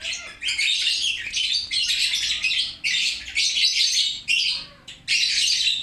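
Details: Lovebird chattering loudly, a steady stream of grating high squeaks and fast twitters broken into bursts every second or so.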